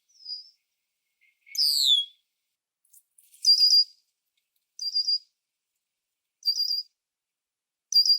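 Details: Red-winged blackbird from Ontario, Canada: one high downward-slurred buzzy note, followed by four short, rapid trilled notes repeated about every one and a half seconds, with nothing else audible.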